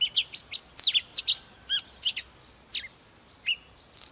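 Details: Mature wild-caught Oriental magpie-robin in fired-up morning song with display: quick bursts of bright whistles and sharp slurred notes, then sparser single chips spaced about half a second apart.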